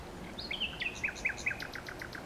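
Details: A nightingale sings a quick series of repeated, descending whistled notes, each sharp and clear, trailing off into softer fading echoes of the same note.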